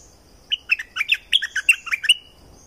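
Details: One brisk phrase from a streak-eared bulbul in southern Thailand, a string of around ten clear, twittering notes alternating higher and lower, lasting about a second and a half against a quiet background.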